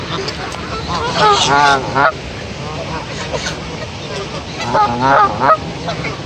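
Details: Goose aggressive toward other geese, uttering two bursts of rapid, rasping honks, each a quick run of several notes, separated by quieter stretches; possible human voices in the background.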